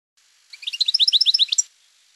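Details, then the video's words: European goldfinch singing in campero style: a single one-second phrase of rapid, evenly repeated tinkling notes, high and bright, rising in pitch toward a final sharp note, in otherwise quiet surroundings. "El Jilguero"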